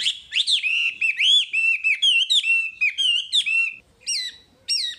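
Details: Full wambi song for masteran: a dense, lively stream of sweet rising whistles and chirps packed closely together, ending with two separate ringing whistled notes after a short pause.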